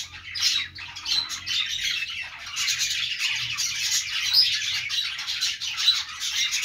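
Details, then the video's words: Parakeet chirping from budgerigars: continuous high, raspy chatter of overlapping calls, with sharp squawks and a couple of brief pure whistles standing out. "budgies sounds | parakeet chirping sounds"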